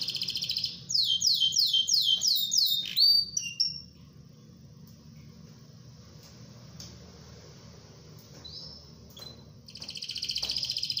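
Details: Canary singing a long rolling song meant as a tutor recording for other canaries: buzzy repeated descending notes about six times, a whistled note, quieter sustained tones, then a dense high trill returning at the end.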